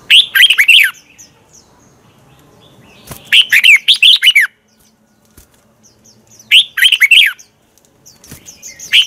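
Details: Red-whiskered bulbul morning song for provoking birds to sing: short phrases of rapid bright warbled chirps repeated every few seconds, with faint notes in between.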